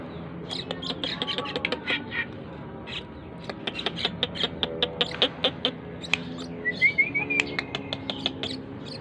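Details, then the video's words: Persistent song of a tame Asian pied starling, meant as a lure: rapid mix of clicks and nasal, buzzy notes, ending in a bright rising whistled phrase and more chatter. "burung jalak keling gacor dor"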